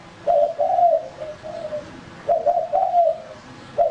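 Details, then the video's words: Male spotted dove, kept as a lure bird, cooing: soft low phrases of a short note followed by longer wavering coos, repeated twice with a pause between, in a quiet setting. "Burung Tekukur Pikat Jantan"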